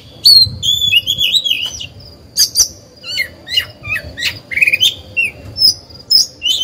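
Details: Oriental magpie-robin kept as a lure singer for other birds: long whistled notes and wavering phrases, interspersed with harsh squawks and sharp clicks.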